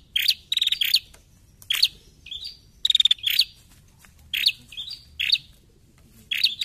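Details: Female bar-winged prinia giving a lure call meant to provoke untamed prinias: sharp, high chirps in clusters, with two rapid stuttering rattles early on, repeated roughly every half second to second across the recording; quiet background.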